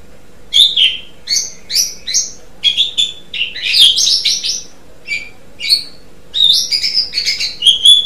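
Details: Vigorous gacor singing from an Asian pied starling: short whistled and chirping phrases repeated about every half second, each fairly high and sharp, with brief gaps and a soft background hum.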